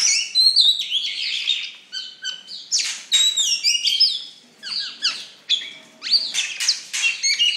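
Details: Oriental magpie-robin, called a fierce songster, pouring out a rich jumbled song of whistled slurs, harsh scratchy notes and chirps in phrases about half a second long, separated by brief pauses.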